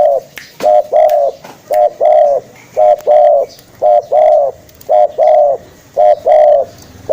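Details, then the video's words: Spotted dove calling, a sound used to lure birds: steady run of low, hollow coos in pairs, a short note then a longer one, repeated about once a second, with sharp clicks in between. "SUARA FULL BURUNG TEKUKUR"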